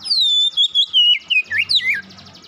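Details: Kacer, or Oriental magpie-robin, brought out of silence by a single lure into quick song: a long descending whistle breaking into short wavering notes and sharp rising-falling slurs, with a faint low hum late on.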